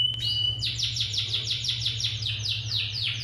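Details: Singing canary opens with a brief pure held whistle, then launches into a fast trill of repeated downward-sweeping notes, roughly three per second, bright and high, with a constant low background hum.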